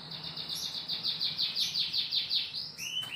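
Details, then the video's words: Young canary about 3 months old, a two-blood cross of imported Scotch Fancy and Lizard lines, practising its trill: a fast train of bright rising notes repeated about six times a second, ending in a higher whistled slur, with low background hum. "Kenari Belajar Bunyi ngeriwik"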